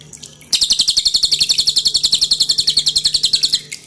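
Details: Loud, dense song of a pin-striped tit-babbler, used to train cage birds, over dripping water: one unbroken three-second run of about thirty quick, sharp, high notes delivered at an even, hammering pace.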